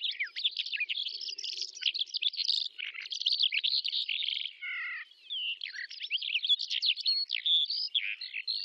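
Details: Calandra lark singing in the Astrakhan Trans-Volga steppe, Russia, in May 2017: a continuous, fast, chattering stream of high, varied chirps, trills and squeaky notes without pause, with a short run of descending notes midway.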